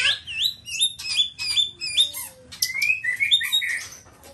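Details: Nias black-tailed White-rumped Shama pours out a rapid, varied song of bright whistled slurs, high chips and a low drawn-out note, the phrases tumbling one after another.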